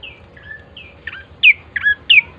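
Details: Bar-winged prinia song meant to prompt other birds to sing: soft, thin opening notes build to three loud, sharp descending chirps at the close.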